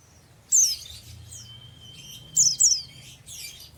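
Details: Oriental white-eye, a young untrained bird for the ngeriwik style: sharp high descending chirps, one then a close pair, between softer twitters over a faint continuous whistle-like tone.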